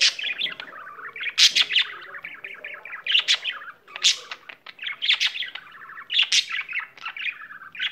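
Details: Pet budgerigar sings a busy, unbroken warble of chirps, rasping notes and bright squeaks, loud peaks coming every second or so, brief gaps near the middle.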